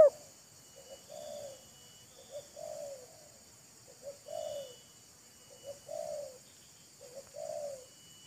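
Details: Spotted dove, a wild bird trading calls with a decoy bird, each showing off, mocking and luring the other: soft, hoarse coos in short two-part phrases, repeated about every one and a half seconds, fairly distant, with a steady high hiss behind.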